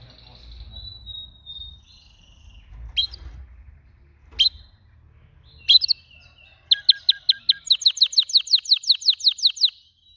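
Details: Singing canary starts with a thin high whistle and scattered sharp chips, then breaks into a quick, evenly pulsed run of bright high notes lasting about three seconds; low rumble underneath early on.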